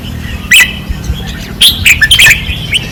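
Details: Fierce singing from red-whiskered bulbuls on a training perch, Pattani, 2024: loud, clipped whistled notes, sliding up and down, in rapid sequence with a short pause near the middle.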